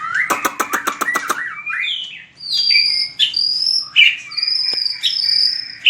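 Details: Shama (white-rumped) fighting song: a quick train of seven or eight clicks, then clear, separate whistled notes, some long and level, others rising, with short pauses between.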